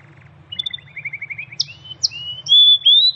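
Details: Canary in the wild singing hard, known for its 'tembakan' (shooting) style: a quick string of about eight rising chirps, then sharp high notes and long loud whistled tones that climb in pitch.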